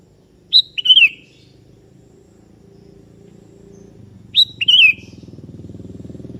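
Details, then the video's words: Sooty-headed bulbul ('kebo' type) singing to call a rival, which responds: two liquid whistled phrases, each a high note and a quick falling warble, nearly four seconds apart, with a low humming drone underneath. "Suara Merdu Burung Kutilang KEBO Gacor Memanggil Lawan Ikutan Bunyi"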